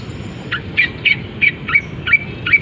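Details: Long-tailed shrike, a caged bird singing imitations of canary and sparrows once uncovered: seven sharp, squeaky chirps at roughly third-second intervals, each with a brief downward flick. Soft low rumble in the background.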